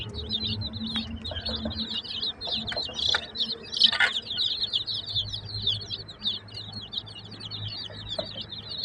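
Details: Many village chicks peep steadily, a dense overlapping stream of high, short, downslurred cheeps over a low background hum.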